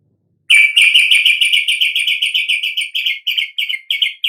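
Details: Sooty-headed bulbul singing to provoke other birds into song: a rapid run of harsh chirps, about three or four per second, holding steady before spacing out slightly toward the end.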